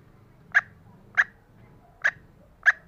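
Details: Female green junglefowl calling, used to lure reluctant males: four short, sharp clipped notes spaced about two-thirds of a second apart, each a brief bright burst over a faint low background hum.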